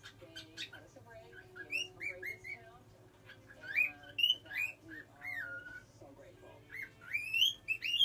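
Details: Pet cockatiel learning to whistle, giving a mix of clear whistled notes, rising and falling slides and chattering twitters, with a steady low hum behind.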